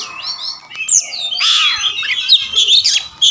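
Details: Oriental magpie-robin sparring and responding, spreading its tail, pours out varied whistles, sweeping slurred notes and harsh scratchy bursts, loud and shifting in pitch, with a faint background hum.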